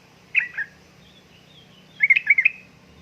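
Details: Sooty-headed bulbul female calling to a male, one slurred chirp followed by a pause, then a quick run of four bright bubbling notes.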